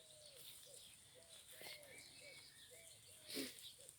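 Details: A dove, named by the speaker as a turtle dove, coos in soft, low arched notes about twice a second on bramble-covered land where lambs graze on 28 March 2020, with small birds chirping faintly and a brief rustle near the end.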